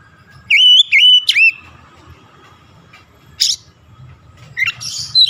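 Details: Oriental magpie-robin singing to stimulate idle birds: a short cluster of sharp rising and falling whistles, then long pauses broken by isolated high buzzy notes, over a faint low background rumble.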